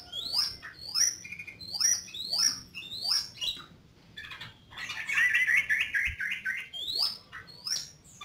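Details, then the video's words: Yellow-vented bulbul in lively song: a series of bright upward-sweeping whistled notes repeated about every 0.7 seconds, broken by a short burst of rapid bubbly chatter, then the sweeping notes again. "Suara Burung Trucuk Gacor"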